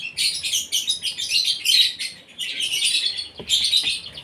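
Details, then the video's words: Morning feeding of an Asian pied starling, given to make it sing actively; a steady stream of rough, wheezy chatter rises and falls in swelling phrases, broken by a brief pause and a couple of dull knocks. "SARAPAN PAGI BURUNG JALAK SUREN SUPAYA GACOR"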